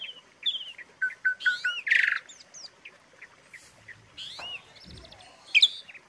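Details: Filler phrases for training Asian pied starlings: a series of short level whistles, a loud harsh rasping note, softer scattered whistles and one arched note, with a low thump partway through.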